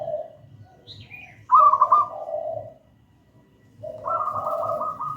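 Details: Local wild zebra dove singing actively in the gedang rojo style, used as a lure and master song for training doves not yet singing. Mellow rolling coos break into a bright trill, pause, then resume with a low purring phrase; faint low hum beneath.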